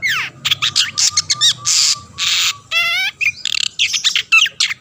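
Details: Long-tailed shrike (cendet) used to trigger song in other shrikes: varied loud medley of downslurred whistles, rasping blocks, a rapid trilled rattle and crisp chips, delivered almost without gaps.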